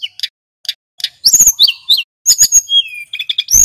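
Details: Male hill blue flycatcher used as a lure and learning recording: a few sparse chirps, then a burst of high whistles, descending slurs and quick twittering with harsh clicking notes.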